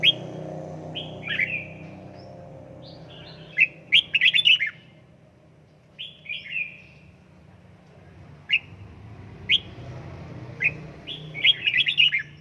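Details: Red-whiskered bulbul trained at home toward 'căng lửa' fired-up singing delivers repeated phrases of clear descending whistles followed by rapid bubbling chirps, in bursts separated by short pauses, with faint indoor background hum.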